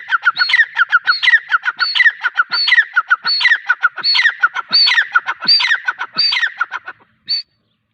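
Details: Female grey francolin calling, a loud rhythmic series of harsh high notes repeated about every three quarters of a second, each phrase climbing then dropping, steady for seven seconds before a final isolated note.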